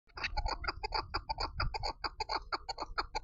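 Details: Female chukar partridge giving a fast run of harsh, clucking chuck notes, about six or seven per second, each note broad and rasping with a low rumble underneath.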